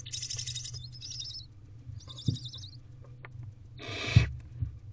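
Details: Barn owl owlets begging while being fed in a nest box, evening of 18 April 2023, wild birds: rasping hissy screeches, one long and two shorter near the start and a loud burst near four seconds, over a constant low hum with thumps.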